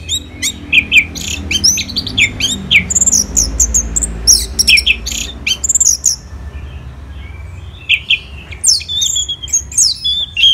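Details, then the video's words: Orange-headed thrush kept for songbird contests in Singaraja, Bali, delivering a long varied song of sharp chips, fast trills and swooping whistles, a quieter pause midway, then more high slurred notes resuming strongly. "ANIS MERAH Gacor dan Teleran Suaranya"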